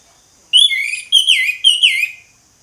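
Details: Loud, clear whistling from an orange-headed thrush in ngeplong style, three swooping descending phrases separated by brief gaps, with no other noticeable sounds.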